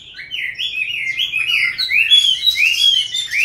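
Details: Chinese hwamei, wild-caught and kept caged into a fifth year, giving clear whistled phrases that slide upward one after another, then higher, brighter notes.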